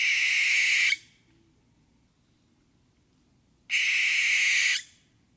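Two harsh, hissing barn owl screeches, each lasting about a second, about three seconds apart, with near silence between them.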